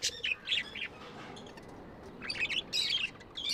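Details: Budgerigars give quick, thin chirps and squeaky warbled notes, going quiet for a second before a fresh run of bright, chattering calls.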